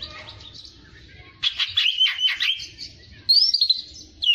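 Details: Oriental magpie-robin, tutor recording for training fighter songbirds: a quiet start, then loud pulsed whistles and buzzy notes, a pause, and a bright rising whistled phrase, over faint low background hum.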